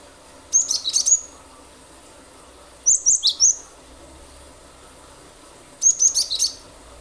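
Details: Gelatik batu, the cinereous tit, singing repeatedly as a lure. Three phrases of four to six rapid, high, sharp whistles come about two and a half seconds apart, some notes dipping lower.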